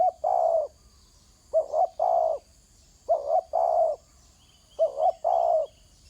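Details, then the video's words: On the ground, a spotted dove gives its call again and again: a quick doubled coo followed by a long level note, each phrase about one and a half seconds apart, over a faint high insect drone. "Terkukur kg bunyi atas tanah"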